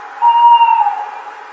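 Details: At night, a screech owl gives one steady, hollow whistled note lasting about seven tenths of a second, level in pitch, then fading, over a faint background hiss.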